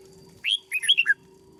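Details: Red-whiskered bulbul kept in a cage and conditioned as a decoy bird, giving one short, lively phrase of about six slurred whistled notes, rich and warbling, dropping at the close, with a faint low hum behind.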